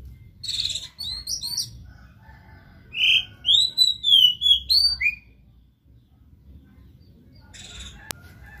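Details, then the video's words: Oriental magpie-robin (kacer) singing, a keen, vocal bird played to spur a silent one into song, Indonesia: harsh buzzy bursts, then a run of clear, loud whistled notes swooping up and down, ending with another rasp and a sharp click. "JANGAN BIARKAN KACER ANDA MEMBISU pacing DENGAN KACER GACOR INI"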